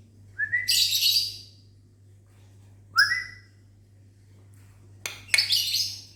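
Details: Lovebirds answering whistles in a mini aviary in the morning: two shrill upward-sweeping screeches with harsh rasping tails, then a pair of clicks and another grating screech, over low steady hum.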